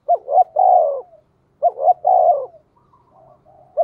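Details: Spotted dove in the thổ voice style, calling as a lure to draw and provoke wild birds; two full cooing phrases of clipped notes and a drawn-out falling coo, a third beginning at the end, quiet background.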